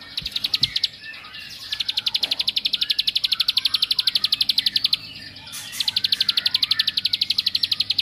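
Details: Bar-winged prinia (ciblek) pouring out a provoking song: two long bursts of very fast, regular high chirps, about four per second, separated by a brief buzzy break, with a few low taps at the start.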